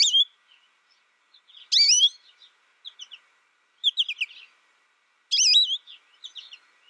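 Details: Solitary young American goldfinch tutored by a recording sings a varied twittering phrase. Long wavy whistled notes alternate with clusters of quick high chirps and short silences.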